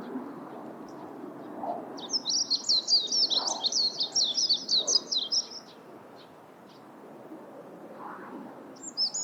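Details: Warbling white-eye singing a fast, thin, tinkling run of high zigzag notes for about four seconds, followed by a quieter pause and a brief further high chirp at the end.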